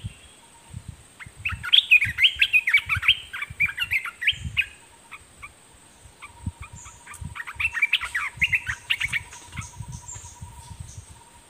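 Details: Olive-winged Bulbul used as a caged decoy, calling toward wild birds with two bursts of jumbled, chattering, warbled notes separated by a pause. Low thumps and a constant high electronic whine run throughout.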